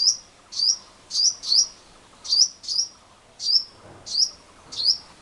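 Male purple sunbird giving sharp, high, thin chips, about nine in five seconds, in pairs and singles at an uneven pace, against a quiet background.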